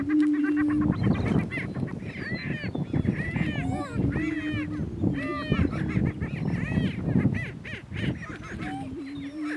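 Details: Greater prairie chickens, two males contesting dominance on a northeast Kansas lek, erupt in loud cackling, squealing whoops and chattering yelps over a deep droning boom that returns between outbursts.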